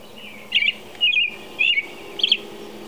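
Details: American robin singing at 4:00 a.m.: four short, clear whistled phrases roughly half a second apart, each warbling up and down, over a steady high background hum.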